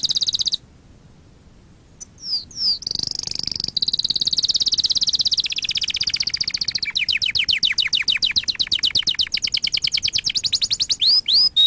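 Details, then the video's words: Canary song meant to teach and excite other canaries: after a short pause, high slurred notes lead into a long smooth roll, then a fast series of sweeping up-down notes, closing with two sharp whistles. "Kanarya ötüşü- Kanarya dersi-kanarya coşturma"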